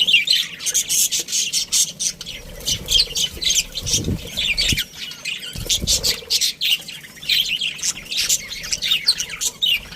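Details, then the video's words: Colony of caged budgerigars including a breeding pair: steady high twittering and chirping from several birds, with two low bumping noises in the middle and occasional soft wing flutters. "Cute Budgies Chirping Sounds"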